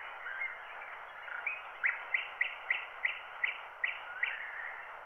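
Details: Wild bird singing, recorded by microphone and cut to a black wax cylinder at 90 rpm: a series of about nine sharp, evenly spaced chirped notes, roughly three per second, after a soft warble, all under heavy hiss.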